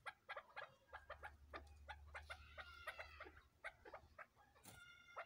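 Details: A group of cross-bred chukar chicks producing rhythmic, clucking chirps repeated several times a second, some notes longer and more tonal near the end, over a faint low hum.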